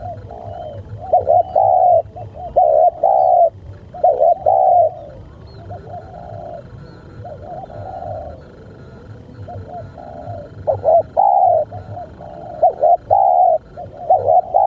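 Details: Cooing spotted dove recorded during bird luring (mikat), delivering clear, mellow repeated coo phrases; loud bursts at the start and end, with a softer, quieter stretch of cooing in the middle, against faint background hum.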